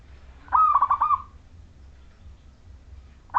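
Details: Vigorously singing local Majapahit zebra dove, played to lure other zebra doves into singing: one bright trilled coo of quick pulses on an even pitch, then near silence before the next phrase begins.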